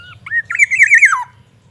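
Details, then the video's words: Black-naped oriole in a cage, sunned in the morning and singing with learned white-rumped shama phrases: a quick run of fluty, warbling whistles that wavers up and down, then slides downward. A low hum sits beneath. "Kepodang gacor full isian murai batu"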